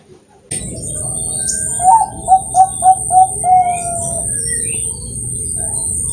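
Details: {'caption': 'Bangkok zebra dove, bred in captivity in Kroya, Cilacap, Central Java, gives a short contest-style phrase of five quick mellow coos and a trailing note. A constant high whine and rumbling background noise are also present.'}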